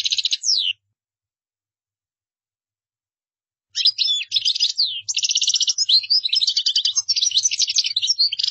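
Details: European goldfinch performing qdara song for others to copy; a short twittered phrase, a long pause, then an extended outpouring of fast trills, rattles and thin sliding whistles.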